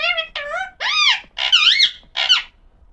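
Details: A pet Alexandrine parakeet talks in five quick, nasal, speech-like phrases, some rising and falling, all within about three seconds in a quiet room.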